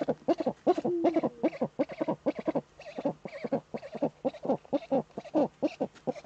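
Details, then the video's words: Female Eurasian eagle-owl courting in its nest niche, filmed by a nest webcam in northern Rhineland-Palatinate, Germany, on 10 May 2013 during breeding mood: rapid, dense run of low staccato chattering notes with one brief drawn-out tonal note. "Uhu-Weibchen balzt in der Brutnische"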